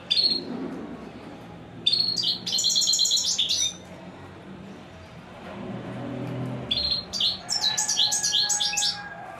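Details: Royal goldfinch alternating quiet pauses with lively bursts of rapid, metallic, high twittering. Faint low rumbling sounds fill the background between phrases.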